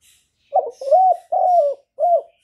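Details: Spotted dove singing in the 'hạp Bổi' style, a recording played to lure doves when trapping: one low, hollow phrase of four cooing notes, the middle two drawn out and gently falling, with no other sounds.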